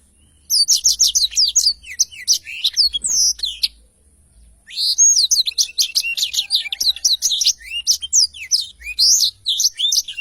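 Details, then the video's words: Blackthroat in full, long rolling song with clear sound: two extended runs of rapid, high, crowded chirps and trills, broken by a single pause of about a second. "Tarikan Suara Blackthroat Super Gacor Ngerol Panjang"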